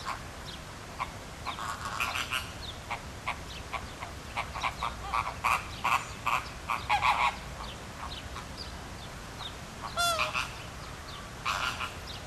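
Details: Flamingo flock at Philadelphia Zoo circling together while flapping wings; scattered short nasal honks build into a busy stretch, then a single clear drawn-out honk and a final burst, over steady background noise.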